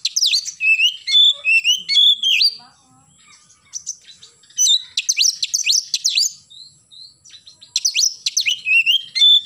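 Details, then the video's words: Oriental magpie-robin in full morning song: long phrases of varied clear whistles and sharp downslurred notes, a brief pause, then more dense rapid bursts of whistling. "KACER GACOR pagi hari nembak"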